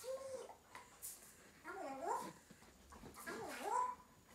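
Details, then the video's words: Pet African grey parrot giving soft, wavering whistled calls that swoop up and down in pitch, with three curving phrases about a second apart in a quiet small room. "African grey"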